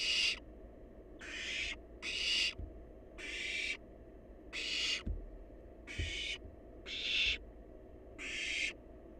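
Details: Barn owl nestling, wild, at its feed of leftovers, hisses in quick raspy bursts, eight over nine seconds, some paired closely, with occasional soft clicks below.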